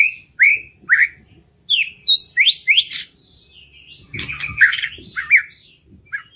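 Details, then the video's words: White-rumped shama singing to prompt hesitant birds into song: loud, clear whistled notes, several rising and falling, given in bursts with short pauses, then a jumbled run of chattering, buzzy phrases. "PANCINGAN MURAI BATU MERANGSANG BURUNG YANG SUSAH BUNYI LANGSUNG IKUT BONGKAR ISIAN"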